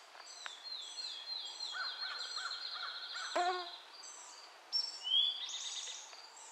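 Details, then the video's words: Cedar waxwing in Michigan on June 20, 2011, giving a thin, high trill held for about three seconds, then a sharp rising whistle from another bird; nearby birds sing softly in the background. "Cedar Waxwing (Nature Sounds) Michigan - June 20, 2011"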